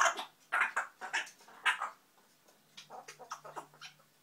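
A grey parrot chatters in quick, voice-like bursts, about two a second, then drops into a softer run of mumbled syllables after a short pause.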